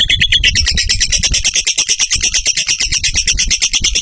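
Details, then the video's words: Lovebird giving a long ngekek chatter, a steady run of rapid harsh buzzy notes, about three per second, sustained without a break, with low thumping underneath. "Love bird ngekek 1 menit cocok buat masteran"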